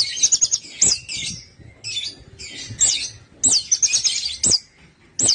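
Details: Orange-headed thrush singing, played to prompt quiet birds to sing: quick runs of sharp, high chirps and twittering notes in bursts of about a second, with brief gaps and faint background tapping.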